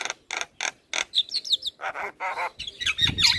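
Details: Javan myna singing without pause: evenly spaced harsh rasping notes, then fast twittering whistles and more harsh chatter.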